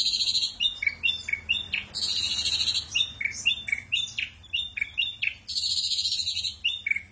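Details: Ashy drongo in tembakan kasar style, a rough burst song mixing short whistled slurs, up and down, with buzzy rasping bursts, repeated in quick succession throughout.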